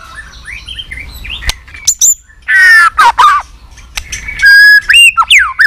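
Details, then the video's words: White-rumped shama, fighting song for competition: scattered faint whistles, then loud harsh buzzy bursts and rising slurred whistles, with a few sharp clicks between phrases. "chòe lửa nết đập xoay chớm lửa hót đấu"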